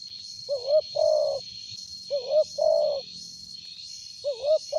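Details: Spotted dove with a powerful voice, kept as a lure, cooing in pairs: a wavering, rising double note followed by a long buzzy coo, repeated about every one and a half seconds, with a pulsing high hiss and faint low rumble.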